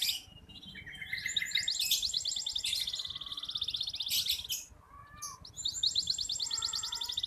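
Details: Local red canary singing actively, kept as a tutor bird for young canaries: bright rapid trills and buzzy rattles in high bursts, separated by brief sweeping whistles, with a steady low background hum.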